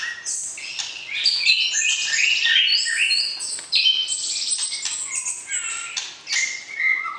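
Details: White-rumped shama (murai batu) singing to arouse the opposite sex before breeding, while being paired up for a breeding cage; dense, fast string of high whistles, chirps and buzzy notes jumping in pitch, with short louder bursts throughout.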